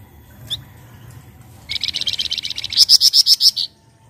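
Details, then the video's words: Untrained young pied triller singing as a lure for other birds: one sharp chirp, then a fast, steady trill of high, buzzy notes, about four per second, ending in louder, ringing notes before stopping abruptly. "PANCINGAN BUNYI FLAMBOYAN BAHAN"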